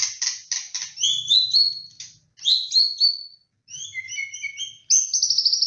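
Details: White-rumped shama on a lure recording: scratchy chattering notes lead into high sliding whistles, then a neat run of clear paired whistled notes and a fast buzzy trill, with faint low rumble underneath.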